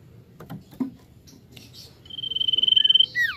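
A common iora gives a long, even trill on one high pitch, about two dozen rapid notes in a second, ending in a sharp falling whistle after soft knocks.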